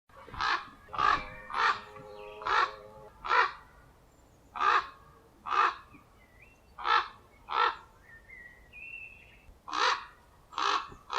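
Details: Common ravens defending their nest: harsh, hoarse croaks repeated in an irregular series of about fifteen, with a few thin whistled notes from other birds between them.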